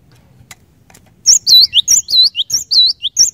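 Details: Cinereous tit singing loudly after a quiet start, a rapid run of clear, looping whistled notes repeated in quick succession, used to trigger other birds to sing.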